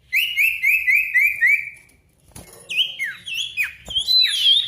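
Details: Ashy tailorbird lure song to make silent birds sing and challenge a rival: six evenly repeated rising whistled notes, a short pause, then varied quick whistles dropping and climbing in pitch.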